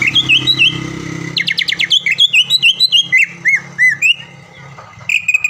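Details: Caged greater green leafbird, a frequent contest champion around Palembang, Indonesia, in lively full song: bright whistled notes bending up and down, then a rapid dense burst of sharp repeated chips and looping whistles, over a low steady indoor hum.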